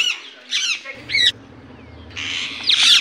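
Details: An Indian ringneck parakeet's natural voice: three harsh squawks about half a second apart, a pause with low hum, then a long, loud, grating screech to finish.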